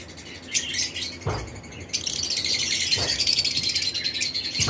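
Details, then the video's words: Pairs of lovebirds of several colour mutations in a flight colony during breeding season give dense, shrill high chirps that run together into a continuous chatter, with a few soft thumps and rustles beneath. "Lovebirds Chirping Sound"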